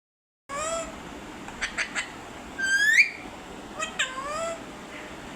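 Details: A parrot makes noise: several drawn-out, meow-like calls that rise then fall, and a loud upward-sliding whistle near the middle. Short squeaky notes come in between, over a steady background hiss.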